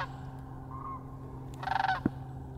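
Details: One brief, rolling, rattled call from sandhill cranes flying overhead above a frozen winter marsh. A soft click follows over a low, steady background hum.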